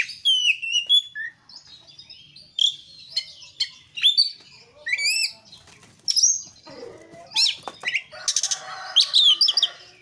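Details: Oriental magpie-robin song used as a lure: quick whistled slurs and chattering notes at first, then harsher buzzy, rattling phrases toward the end.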